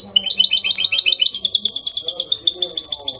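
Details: Goldfinch hybrid singing clean Málaga-copy song, used to get males singing and chicks memorising: unbroken fast twitter of high, repeated chirping notes, rising slightly in pitch toward the end, with soft low background sounds.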